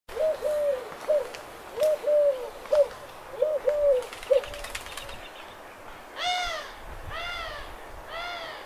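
A dove gives soft, low cooing phrases in quick succession, then a burst of wing flaps, followed by three drawn-out, nasal, arching calls.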